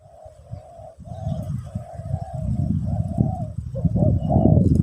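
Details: Spotted dove singing in the pesom or kacuk style, used for teaching a new bird. A near-continuous run of soft, mellow coos forms a hollow phrase that swells toward the end over a steady low rumbling background.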